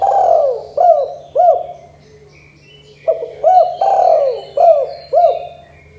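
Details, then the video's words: Spotted dove giving its 'kuk 2' style call, used to prompt young doves into calling: two phrases of low coos, each with short hooked notes and a drawn-out falling coo, repeating about every three seconds, with faint high chirps behind. "Suara Tekukur Derkuku KUK 2 GACOR DOR"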